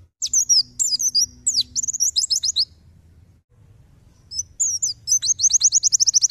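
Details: White-eye tembakan song used as a tutor recording for songbirds: fast, very high twittering bursts, a quiet gap midway, then a quick string of evenly repeated sharp notes at about three per second.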